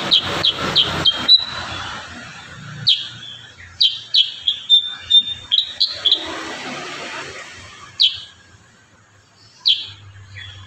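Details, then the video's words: Kurincang song in the 'tembakan rapat' (dense shots) style, used as training material for other birds. A quick run of piercing high notes opens, then scattered clusters of sharp falling chips with gaps between. "Masteran burung kurincang tembakan rapat"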